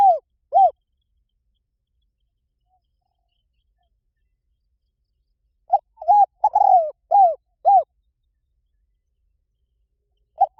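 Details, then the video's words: Spotted dove lure call meant to bring wild doves close. Two arched coos open the clip. After about five seconds of silence, a phrase of stuttered notes, a longer falling coo and two arched coos follows, then one more coo at the end. "เสียงนกเขาใหญ่ เสียงต่อ..ที่นกเขาป่าชอบมาก"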